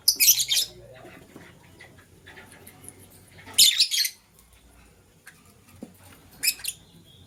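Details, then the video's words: Lovebirds in the morning, green and blue, jostling for vegetables; three loud, rasping high screeches about three seconds apart, with quiet gaps between them. "Green LoveBird Chirping Sound - Blue LoveBird Scramble for Vegetables"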